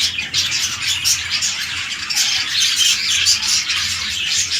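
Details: Red-eye lutino budgerigars housed for breeding, king-size male and undersize female; unbroken squawky, scratchy chatter at high pitch with little variation.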